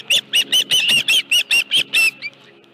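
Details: Osprey at its nest at Dunrovin Ranch with a live fish, 25 July 2018, 5:23 PM: nine loud, shrill whistled chirps in a rapid, even series, each slightly downslurred, then a faint trailing note.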